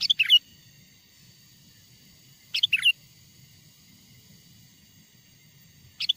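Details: Lure song of a wild sooty-headed bulbul, played to call wild bulbuls nearer: a quick chirpy phrase of rolling whistled notes, a long pause, another phrase, then the start of a third.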